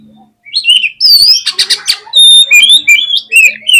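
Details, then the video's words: Agitated oriental magpie-robin (kacer) song used to provoke other birds: loud, clear whistled notes sliding up and down, a dense burst of harsh chattering in the middle, then a steady run of bright repeated whistles. "SUARA KACER GACCOR CEPAT BIKIN EMOSI KACER NAIK DI GANTANGAN AUTO KONSLET"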